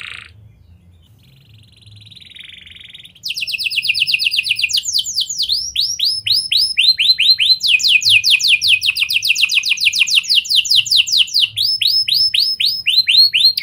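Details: Canary singing in an Indonesian lure recording meant to set other canaries singing long, its song mixing lovebird and prinia-style phrases: after three quiet seconds, fast trills of repeated downward-sweeping high notes, shifting through several phrase types, with faint low background hum.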